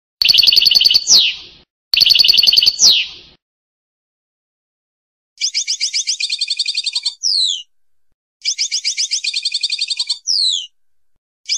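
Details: European goldfinch singing passades: high, rapid buzzy trills ending in a sharp downslurred note. Two phrases open the clip, then two longer tinkling phrases follow after a pause.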